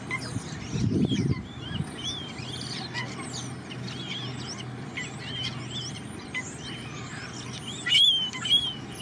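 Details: Common starling at Mudeford, delivering a varied jumble of thin whistles, chirps and buzzy clicks, with a brief low thump near the start and a louder squeal burst late on.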